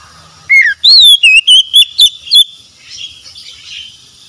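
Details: Oriental magpie-robin (kacer), a recording meant to get a stressed, silent bird singing again. A downward-sliding whistle is followed by six ringing, wavering whistles in quick succession, then a faint warble fading out.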